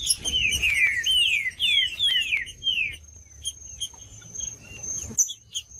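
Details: Trinca-ferro, the green-winged saltator, in full song for stirring a reluctant bird: about three seconds of rapid, falling whistled slurs, then quieter scattered high chirps over a constant shrill background tone.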